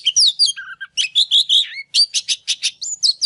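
Oriental magpie-robin singing a rich, varied run of clear whistles, slurred sweeps and buzzy notes, delivered quickly with short gaps between phrases.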